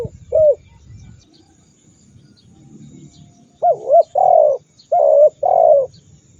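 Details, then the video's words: Spotted dove used as masteran training audio to set rival doves calling and raging: one soft dipping coo, a pause with low rumble, then two paired phrases of short bent notes followed by longer, fuller coos. "Masteran burung tekukur super dahsyat membuat lawan ikut gacor mendengkur ngamuk"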